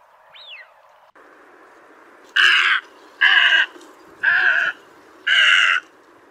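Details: White egret giving four harsh, raspy croaks, each about half a second long and spaced roughly one second apart, preceded by a faint thin squeak, over a steady low hiss.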